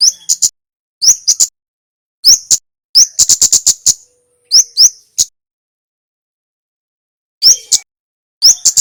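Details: Male red Javan flowerpecker, used as training audio for other birds, giving short bursts of high, sharp ticking and chipping notes in clusters of three to eight, separated by silent gaps of up to two seconds.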